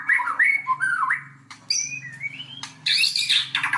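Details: Provoking song of a white-rumped shama: slurred whistles and clear rising notes, then a burst of harsh scratchy sounds, over a low steady hum.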